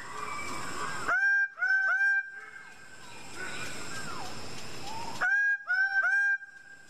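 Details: Loud bursts of two or three nasal, honking notes from a greater bird-of-paradise (Paradisaea apoda), each held steady, separated by a stretch of mixed background bird calls and a descending whistle.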